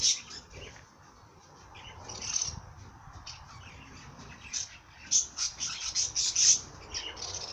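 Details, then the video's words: Singing bird giving high, thin chirps and short twittering bursts, sparse at first, then a faster run of bright notes near the end; soft low background rumble. "Bird sing song madár ének"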